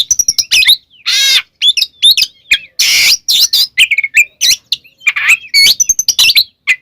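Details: White-rumped shama in full song, played to goad other shamas: fast mix of whistles and sharp chirps broken by two harsh, raspy bursts.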